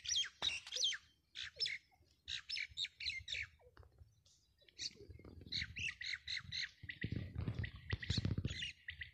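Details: Grey francolin (teetar) calling in breeding season: bursts of harsh, grating notes grouped in short runs with brief pauses, with low rumbling noise near the end.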